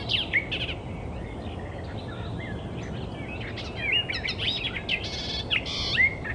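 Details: Icterine warbler in the wild, giving a varied, restless song of sharp chirps, rising and falling whistled slurs and short buzzy bursts, with louder stretches near the end over low ambient noise.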